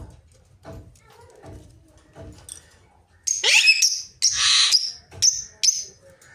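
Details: Ringneck parakeet calls loudly in a quick series of shrill, scratchy screeches and high squeals after a quieter start with soft knocking sounds.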